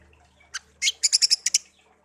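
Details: Caged songbird reared from young gives a short phrase of a few harsh notes followed by six quick high chirps in a tight series.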